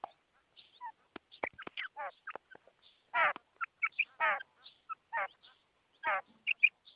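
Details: Calls of a female quail: scattered high clipped notes and harsh, buzzy descending rasps come at irregular intervals, with a few soft ticks between them.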